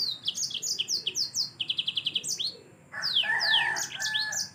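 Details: Yellow-fronted canary in vigorous 'gacor' song, used as Indonesian masteran tutoring material: quick high slurred descending whistles, a rapid even trill of clipped notes, a short pause, then a louder burst of sweeping notes over a lower warble.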